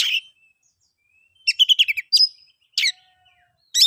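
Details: Brief oriental magpie-robin song serving as a lure for quiet birds: an opening sharp note, a fast chattering series of about six notes, a bright whistle, a harsh burst and a final loud call.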